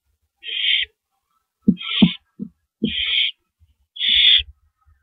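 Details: Owl eating a large rabbit on a live camera, April 9, 2012, 3:33 AM: four breathy, hissing screeches about a second apart, mixed with sharp clicks, thumps and tearing sounds from the feeding.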